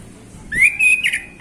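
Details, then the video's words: Male orange-headed thrush, a relaxed afternoon 'ngeplong' song used to prompt other birds: one clear whistled phrase that slides upward and holds steady, then a short bright flourish and a lower closing note. "Anis Kembang Ngeplong Santai Sore"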